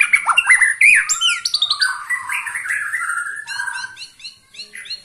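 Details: Twenty-one-year-old captive white-rumped shama in energetic song: quick slurred whistles and rising sweeps open the phrase, then a descending whistled passage, ending in a rhythmic series of short repeated chips that gradually fade.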